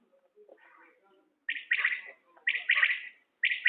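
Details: Common quail, linked to quail hunting, heard after soft, low background chatter: loud, bright pulsed phrases of several rapid notes burst in about once a second, the last cut short.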